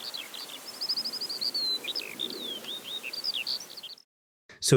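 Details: Eurasian skylark singing continuously, unseen high above a field in West Sussex farmland: a high, unbroken stream of rapid chirps, trills and slurred whistles, cut off abruptly, then a brief louder burst.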